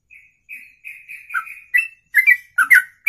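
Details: Bird in one-breath ropelan song lasting over two minutes; opens with soft level whistles that swell into loud, rapid paired notes dipping and rising.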